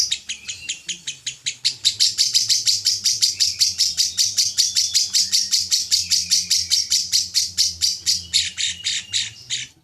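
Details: Contest lovebird delivering a long ngekek with full fill-ins: nearly ten seconds of rapid, evenly pulsed, shrill chattering notes that swell louder after the first two seconds and run without pause.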